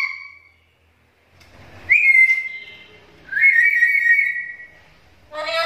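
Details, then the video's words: Black-capped lory, a lure and training recording for lories: two long, drawn-out whistles starting sharply and sliding gently down, separated by a short gap, ending with the start of a harsh screech. "PANCINGAN DAN MASTERAN BURUNG NURI KEPALA HITAM"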